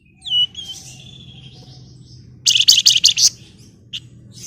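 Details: Female flamboyan bird calling to a male: a high whistled note sliding downward, a thin drawn-out whistle, then a sudden fast burst of harsh, high chattering chirps and a final short chip over a steady low hum.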